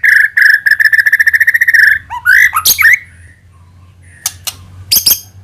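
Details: A white-rumped shama sings a lure song to draw other shamas into singing. It begins with a steady rapid trill of about twenty identical whistled notes, followed by a few slurred phrases and scattered sharp clicks.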